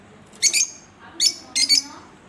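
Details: Pet Fischer's lovebirds, a green pair, give three bright, high chirps, the last a quick double, with short quiet gaps between them.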